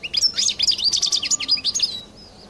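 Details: European goldfinch giving its distinctive song: a rapid, unbroken twitter of bright chirps and short trills, high-pitched and fast, fading out after two seconds.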